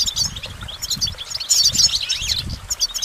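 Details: Twittering goldfinch song with jangling, fast trills and a few sliding notes, over faint low thuds.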